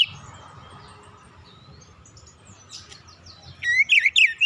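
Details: Oriental magpie-robin song used as a lure for other birds: mostly quiet hum and faint distant chirps, then a short burst of loud, warbling whistled notes in the final second.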